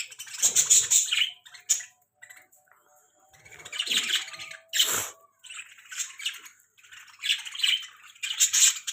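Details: Budgerigar; squawks; squabbling over food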